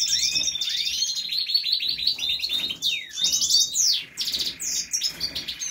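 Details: Goldfinch, seven months old, giving a rapid twittering song of liquid, tinkling notes and quick rising and falling slurs, high-pitched and nearly continuous, with brief pauses near the middle and toward the end.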